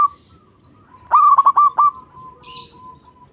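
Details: Song of a zebra dove (perkutut), used to encourage other doves to sing; a single phrase of five rapid, resonant coos between soft sustained tones, with a brief high rustle afterward.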